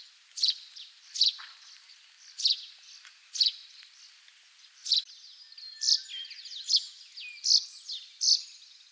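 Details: Russet sparrow, wild, singing in Hokkaido, Japan. About ten sharp, high chirps come in an uneven series, and a soft twittering chatter joins the later notes.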